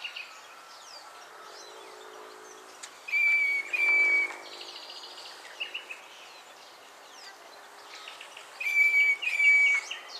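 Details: Northern fiscal calling at Naro Moru River Lodge in Kenya, giving a pair of long, strained nasal notes, a pause of several seconds, then another similar pair, with faint chirps from other birds in the background.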